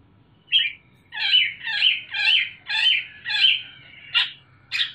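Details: Young caged Sumatran leafbird singing loudly: a row of harsh, rasping notes at about two per second, followed by two sharp chips.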